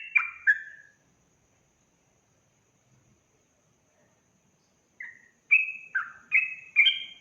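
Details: Sooty-headed bulbul giving a lively 'ropel' song, meant to provoke rival bulbuls: a few clear whistled notes, then a long silence, then falling and level whistles in a quick run.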